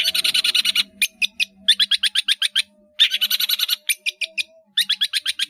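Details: Long-tailed shrike in a cage singing a filler-heavy training song: fast harsh rattling chatters in repeated runs separated by short gaps, with a faint low hum beneath.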